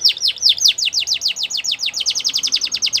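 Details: Training song of a champion canary, meant for teaching young birds: a long, fast, even series of sharply descending whistled sweeps, roughly seven per second, with faint low background hum.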